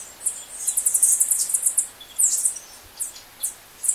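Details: Green honeycreeper (Chlorophanes spiza) in Ubatuba, São Paulo, Brazil, giving very high, thin chips: first a quick run of about a dozen, then single sharp notes every half second or so.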